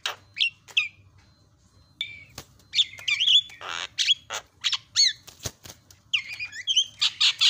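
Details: Energetic Javan myna song meant to spark silent birds into singing: short whistled slurs, clicks and grating squawks, building into fast mixed chatter with twisting whistles.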